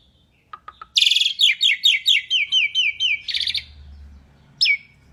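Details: Asian pied starling song from a training recording: a few quiet clicks, then a fast even series of short descending whistled notes, about two a second, a buzzy burst and one last whistle.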